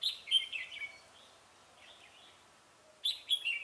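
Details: Trapping red-whiskered bulbuls on 17 November 2017 with singing meant to lure rivals. Two loud, bright warbling phrases are separated by soft, twittering notes about three seconds apart.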